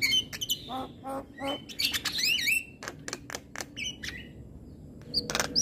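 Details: Morning singing of a Javan myna, mixing scratchy chirps with sweeping whistled phrases, loud bursts early on, then a quieter stretch of spaced clicks before a final loud note.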